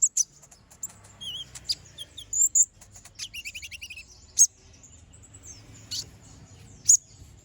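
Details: Brown-throated sunbird, full and lively singing meant as a master for other songbirds: high chips mixed with short buzzy trilled phrases and brief wavering whistles, then several isolated sharp ticks.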